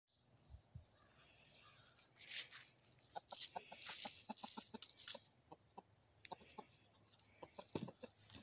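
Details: Production Red rooster kept with Easter Egger hens; short, low clucks come in quick irregular bursts, mixed with scratchy rustling and hissy broadband noise.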